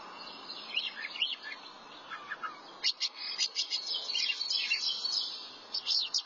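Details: A thrasher sings a dense run of phrases, mixing slurred warbles with rapid sharp repeated notes that keep the song going almost without pause.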